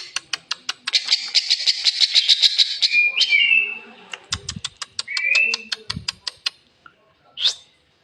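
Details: Rosy starling giving an unusual harsh sound: rapid dry clicking pulses running into a rasping buzzy burst, then more clicks, a short whistled slur and a final sharp note, with a few low thumps.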